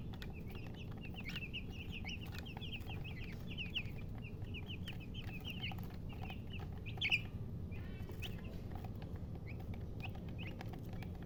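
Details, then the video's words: Chicks of domestic chicken peeping together in quick high chirps, with one sharper louder note about two-thirds through and sparser peeps toward the end, against low background hum. "MURGI Baby "Chicks Chirping" Sound"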